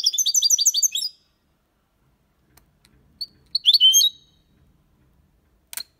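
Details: Málaga-style song of a European goldfinch, used to stimulate and teach young birds to sing: a fast run of bright, tinkling, repeated twittering notes, a pause, then another liquid twittered burst and a single sharp chip.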